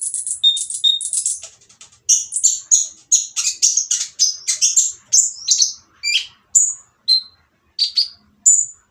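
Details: Oriental magpie-robin with a noisy, rough song meant to provoke other magpie-robins into singing: a fast run of high buzzy notes, then separate sharp whistled and chattering phrases repeated about every half second.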